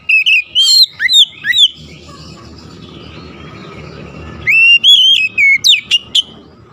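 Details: Lure song of an Oriental magpie-robin meant to make quiet, reluctant magpie-robins sing: bursts of loud whistled, sliding notes at the start, a quiet middle with faint background noise, then another run of bright whistles and a sharp upward sweep.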